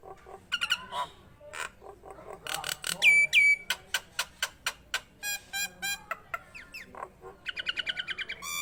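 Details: Vigorously singing Nias hill myna: a medley of sharp clicks, a clear sustained whistle, buzzy harmonic notes and nasal rasps in quick succession, ending in a rapid chattering burst.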